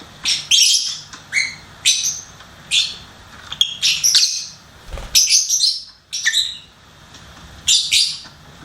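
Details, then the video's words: Lovebird kept as a pet, chirping and singing in short shrill bursts: squeaky, scratchy high notes in clusters separated by brief pauses, some doubled, in a quiet indoor setting. "LOVEBIRD SINGING & CHIRPING SOUNDS"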